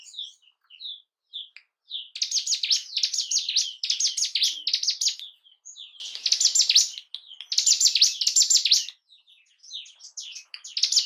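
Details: Bar-winged prinia song for arousing breeding and fighting mood in cage birds: a few soft chirps, then repeated loud bursts of rapid sharp buzzy notes lasting one to two seconds, separated by brief pauses and light twitters.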